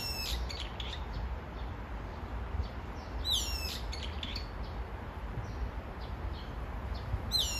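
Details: Brown-eared bulbul calling insistently for its mate: harsh, squealing, downward-sliding notes at the start, again after about three seconds and at the close, with softer chattering between them over a dull low rumble.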